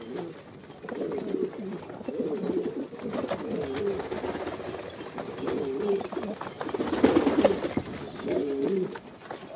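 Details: A chorus of Filo pigeons coos continuously in low, burbling phrases, with a louder bout near the seventh second and faint background clatter.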